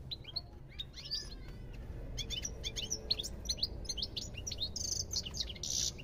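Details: A European goldfinch twitters rapidly, with clipped high chirps and short sweeping notes run together, ending in a harsh buzzy, wheezing note; faint low rumble beneath.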